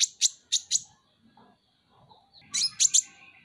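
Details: Caged Van Hasselt's sunbird, called kolibri ninja, in a masteran recording: four loud, sharp, high chips, a quiet gap with soft low sounds, then a cluster of three piercing high notes.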